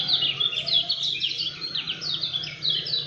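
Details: Lemon-bellied white-eye, locally kecial kuning or kacamata Lombok, in a fast, dense 'speed rapat fighter' song: continuous rapid high chirps and sweeping whistled notes tumbling up and down, with a low steady hum beneath.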